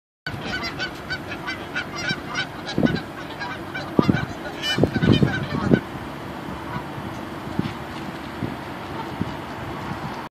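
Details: Noisy birds in Fridley, Minnesota, giving loud, nasal honks in irregular bursts, thickest in the first six seconds and then thinning to scattered calls, over a steady low rumble.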